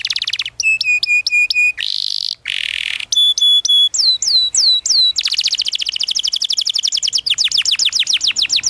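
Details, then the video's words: Canary song used as a lure for young learners: bright piercing whistled notes in short repeated groups, a buzzy burst, then falling slurred whistles and a long rapid rolling trill. "PANCINGAN Kenari GACOR PANJANG Cuit Cuit EMOSI‼️ MASTERAN Kenari PAUD belajar BUNYI"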